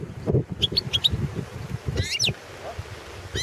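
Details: European goldfinch of the Balkan subspecies Carduelis carduelis balcanica, competition song entry for the 2017 World Championship in Goldfinch Song: a few short high chirps, then quick sweeping twittered notes over steady low rumbling noise.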